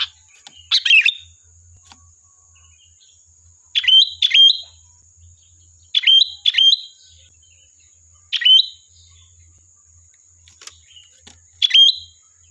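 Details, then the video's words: Series of sooty-headed bulbul phrases used to call in a reply, each a short chirp dropping into a whistled note, given singly or in pairs every two to three seconds, with a continuous faint high hum. "Suara Burung Kutilang Gacor, Pancingan Ampuh dijamin nyaut"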